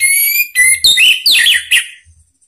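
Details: Orange-headed thrush (Anis Merah) song from Indonesia, used as a lure to prompt other thrushes to answer and sing. Loud, clear whistled phrases with bright overtones: a long steady note, then rapid sliding and rising whistles in short bursts, ending abruptly.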